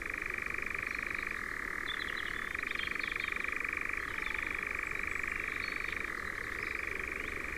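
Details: Nightjar in Ringwood Forest near Verwood, Dorset, giving a continuous, rapid mechanical churr that holds steady for the whole stretch, with the pitch shifting slightly up and down at about 1.5, 4 and 6 seconds. Faint higher chirps sit above it.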